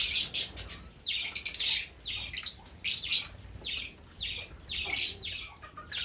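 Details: Harsh, high squawking chirps from Fischer's lovebird, delivered in short clustered bursts with brief pauses between groups.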